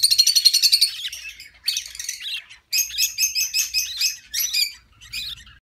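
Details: Female budgerigar defending her chicks in the nest box during an inspection: a rapid rattling burst of harsh notes, then repeated grating squawk series in quick pulses, with a brief pause between bursts.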